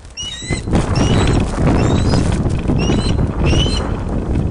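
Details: Ospreys at their Loch of the Lowes nest, Scotland, on a webcam, 31 August 2013 in the afternoon during a large fish delivery; a few thin, upslurred whistles above heavy low wind buffeting.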